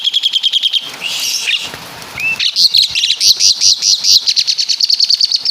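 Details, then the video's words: Asian pied starling, native to Java, mimicking caladi and kapas tembak: a rapid even trill, a brief scratchy warble with a slurred whistle, then loud rhythmic high chatter repeated several times per second. "Burung Jalak Suren Full Suara Kapas TembaK"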